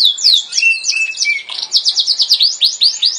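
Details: Yorkshire canary singing a fast, bright song: sweeping high whistles and a drawn-out lower trill open into rapid repeated chirping notes, about three per second, with a clean quiet background.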